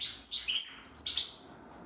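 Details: Practice song of a young Timbrado canary from 2020: two brief bursts of high, sliding whistled notes, partly descending, followed by a quiet pause.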